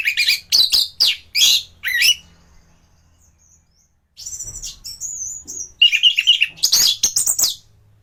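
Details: Anis thrush in top singing form, recorded as a training song for other birds: bursts of sharp, high chattering notes, a pause, then thin whistled strands and loud, fast, twisting phrases.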